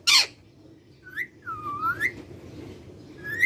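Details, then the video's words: A ring-necked parakeet starts with a harsh squawk, then gives a series of clear whistles. Some glide down and back up, and others rise sharply. There are short pauses between notes over quiet room noise. "Ringneck talking parrot sound"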